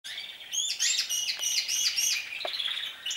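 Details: Several canaries singing as their singing season begins: a continuous high rolling trill with rapid repeated chirps and bright whistled notes, steady and dense throughout.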